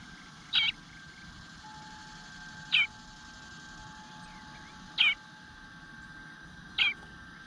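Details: Begging eastern bluebird nestling in a nest, calling for food and not fed for some time, 9:10 am on 25 June 2022; four brief, harsh, high-pitched notes spaced about two seconds apart against quiet hiss.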